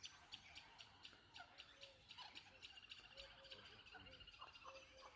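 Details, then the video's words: Birds chirping at Lonar Lake: a dense outdoor chorus of short, high twittering notes and quick chirps overlapping throughout, with a few lower whistled slurs and possible faint voices underneath. "ಹಕ್ಕಿಗಳ ಕಲರವ / Lonar Lake Birds Chirping"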